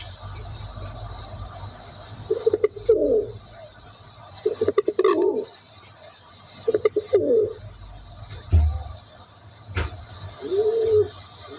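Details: Pigeon cooing: four soft, low, arched coos spaced irregularly a few seconds apart, with sharp clicks and taps around them and a steady low hum throughout.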